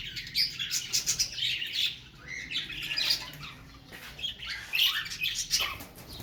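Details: Harsh grating squawks from a female cockatiel upset over the deaths of her two chicks, uttered in quick irregular clusters with short pauses between them.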